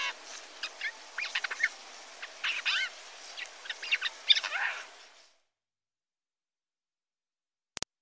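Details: Adult Eurasian jay singing a jumbled medley of chirps, slurred notes and scratchy fragments for about five seconds, then falling silent, with one brief click near the end.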